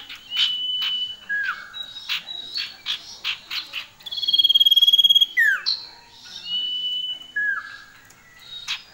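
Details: Loud, ringing song from a male and female common iora: chips, a long pulsed high whistle, a steep downward slur, then more level whistles and falling notes.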